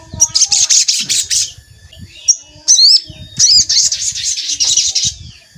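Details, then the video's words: Crimson sunbird (sogon) calls, used to bait wild sogon and provoke them. A fast high twitter, then sharp rising squeaky notes and another long twittering run. Faint low thumps sound underneath. "Pancingan Sogon Agar Bunyi dan Emosi"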